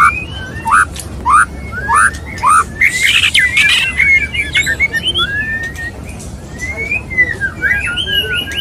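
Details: White-rumped shama male courting a female, mating sounds: varied whistled phrases and upslurred notes, some rich and loud, mixed with harsh chattering bursts, delivered in quick irregular bouts.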